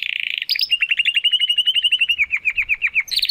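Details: A young male Spanish Timbrado Classico canary practising his song: a quick high trill, then a run of slower, evenly spaced dropping notes that fall gradually in pitch before a final bright burst.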